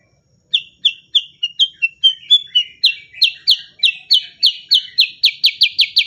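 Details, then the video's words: Black-headed bulbul, a kept songbird in energetic "gacor" form. It gives a quick run of sharp downslurred whistles, speeding from about three to six notes per second. The notes rise slightly in pitch toward the end. The background is quiet. "burung cucak kurincang super gacor untuk masteran terbaik"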